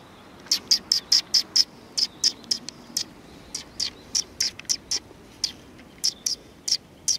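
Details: Community hall sparrows greeting on 16 July 2020, chirping busily: a dense, uneven stream of short high notes, roughly two or three per second, continuing throughout with brief gaps.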